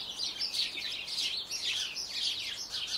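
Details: A garden Eurasian wren filmed in slow motion pours out a shrill, rapid twittering trill, high notes churning continuously across the whole stretch.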